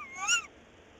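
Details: Tawny owl recorded 22 February 2018 at 06:43, with the male on a branch and then the female in the nest box, gives one brief, bright call that rises then falls, lasting about a third of a second, against a quiet background.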